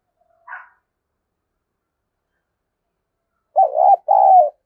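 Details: Spotted dove used as a decoy to excite wild doves: a brief soft note, a long pause, then two loud rolling coos back to back near the end; otherwise silent.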